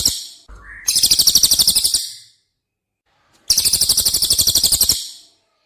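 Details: Cililin song used as masteran training audio for competition birds: two long, loud, rapid strings of buzzy high notes, each about one and a half seconds, separated by a short silence.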